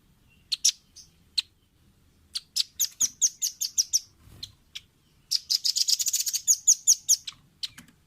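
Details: Red-billed blue magpie in a clear training recording meant for caged birds to copy: sharp high chirps and clicks, first scattered, then fast runs of rattling notes with short gaps between.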